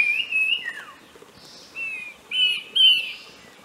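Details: A pair of Sikkim wedge-billed babblers singing and foraging just before dusk in Eaglenest reserve, Arunachal Pradesh, India: clear, slightly slurred whistles, level or falling, in short bursts roughly every half second, over a soft rustle.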